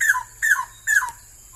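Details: Straw-headed bulbul from Malaysia, where the species is declining: three loud, clear phrases, each a fluty note slurring downward, spaced about half a second apart in a small, close-sounding space.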